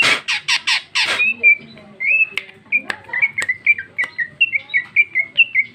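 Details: Gacor female greater green leafbird, cucak ijo, 2021, in full ngeplong isian song: four quick harsh chattering notes open, then a long run of clear whistled slurs and chips, rapid and steady.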